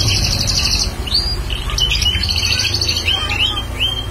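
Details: Bar-winged prinia in lively song, kept as a prospective lure bird; a fast buzzy trill opens, followed by scattered high upslurred chirps and short whistled notes, with a constant low rumble and faint voices.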